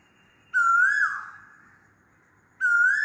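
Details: Asian koel calling loudly: a clear whistled note near one pitch, held with slight waver and trailing off, then a second note beginning after a two-second gap.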